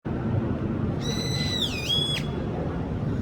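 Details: A pet bird greeting its owner with a pretty sound after making strange noises: a single clear whistled call, a steady note that dips and bends back up, with rich overtones, over a constant low background hum.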